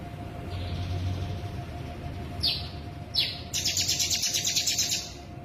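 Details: Sooty-headed bulbul in full konslet imitation style mimicking cicada (bren) and ciblek: faint high hiss, two sharp downslurred whistles, then a fast buzzy pulsed trill lasting about one and a half seconds over low background hum.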